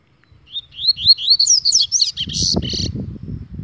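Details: Agitated Double-collared Seedeater singing a lively phrase of about ten rapid, rising whistled notes that end in harsher buzzy notes, followed by low rumbling noise.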